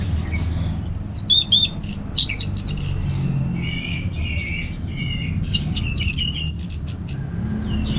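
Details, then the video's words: An Orange-headed thrush delivers a relaxed ngeplong song for luring other birds to sing: high sliding whistles, quick repeated notes, a softer warbled middle section and a final flurry of bright phrases, with faint low hum throughout. "$uara ANIS MERAH Ngeplong Santai dan Pasti Sukses Bikin Burung dirumah Ikutan Gacor"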